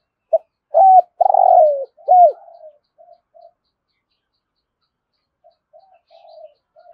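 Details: Spotted dove giving thúc gù coos in the rolling thổ rền voice style. A full phrase opens the clip: a short note, a level coo, a long rolling falling note and a slurred coo. Faint soft murmuring coos follow after a quiet gap.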